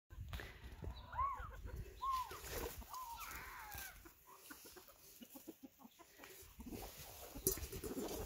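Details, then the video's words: Blue laced red Wyandotte rooster calling his hens over to share food he has found: a few soft, rising-falling tuk notes early on, then rustling and faint background noise. "Rooster Behavior - The sound a rooster makes when he finds food to share"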